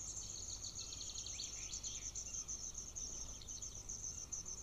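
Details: Hungry golden eagle eaglet at a nest near a military training ground, filmed by nest camera on June 18, 2024 while trying to swallow a bone from scraps; continuous thin, high chittering peeps in rapid series, with steady background hiss.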